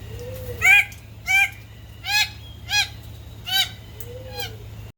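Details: A male Raggiana bird-of-paradise courting an interested female: a rapid series of five loud, ringing, nasal harmonic calls spaced under a second apart, framed by soft low arched notes, over steady low hum.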